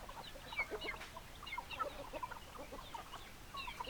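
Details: Hens and roosters in a flock: scattered clucks and thin, high chirping squeaks pop up every fraction of a second, with louder bursts near the start and end.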